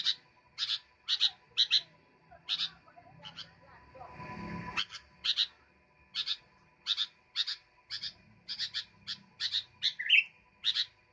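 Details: Lively sooty-headed bulbul repeating crisp paired chirps, interrupted midway by a burst of human speech and rustling, then a rising whistled note near the end among the chirping.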